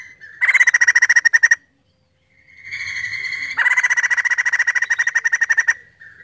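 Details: Lively crested laughingthrush song played to provoke other birds into singing: two long bursts of fast, loud, rasping pulsed notes, roughly four per second, split by a brief pause and a softer rising whistled lead-in.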